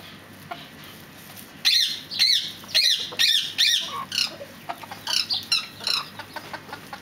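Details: Fireback pheasants calling in a rapid run of strident squeals, five loud ones in quick succession, followed by a trailing series of softer, quicker notes.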